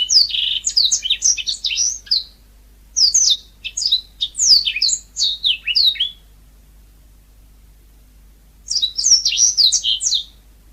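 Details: Energetic natural singing of a yellow-fronted canary in three bursts of rapid, high twittering and slurred chirps, each lasting two to three seconds. The bursts are separated by quiet gaps, the last gap about two and a half seconds long.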